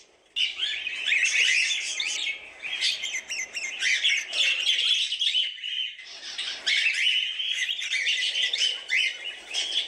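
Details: Cockatiels chattering almost without pause: dense, harsh, scratchy chirps and squawks from several birds overlapping, with a brief lull near the middle before the noisy chorus resumes.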